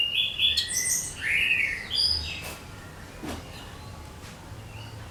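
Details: Lure song of a cucak kinoi for attracting many bird kinds: varied high whistles and slurred notes in the first half over steady hiss, then only quiet background with faint ticks.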